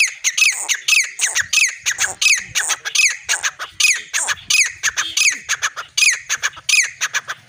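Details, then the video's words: Partridge calling loudly and steadily, with harsh, ringing phrases repeated in quick succession, roughly two phrases a second, over a quiet background. "Titar Voice|بگڙو تتر|تتر جي ٻولي|اچھی نسل کا تیتر|تیتر"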